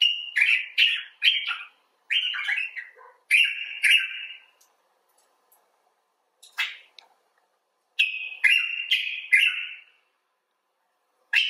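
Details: Common bulbul talking expressively: clusters of three to four bright slurred chirps, a silent stretch with a few isolated notes, then another brisk cluster of chirps near the end.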